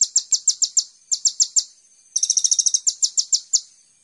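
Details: Lure recording of kolibri ninja (Van Hasselt's sunbird) for training songbirds: spaced high chirps in two groups, then a quick buzzy trill followed by more evenly spaced sharp notes.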